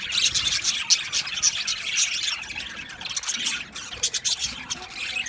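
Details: Aviary colony of male budgerigars, 8 December 2025, chirping in pulsing bursts of high twittering and short squeaks, about two bursts per second, many birds calling together.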